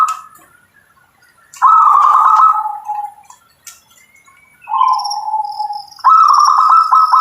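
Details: Local zebra dove (perkutut lokal) singing: rolling, trilled coos in phrases, a higher stuttering note sliding into a lower drawn-out purr, three loud phrases with pauses between, and a faint high whine in the background.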